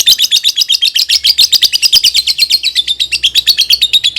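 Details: Lovebird song used to prompt young birds into singing: an unbroken, fast, twittering chatter of scratchy high notes, roughly six per second, steady in pitch throughout.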